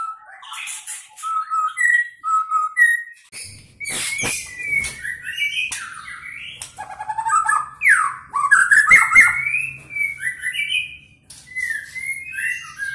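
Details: Medan-type white-rumped shama trained for competition, singing fast with imitations of cililin, canary and lovebird: short whistled notes, then dense bursts of chirps, trills and sweeping slurred whistles with sharp clicks, a low hum in the background.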